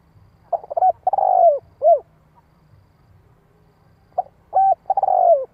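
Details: Spotted dove calling in the 'giọng hạp' voice style to lure and stir wild doves; two phrases, each a soft clipped note, a level hooked coo, a long purring downslurred coo and a short arched coo.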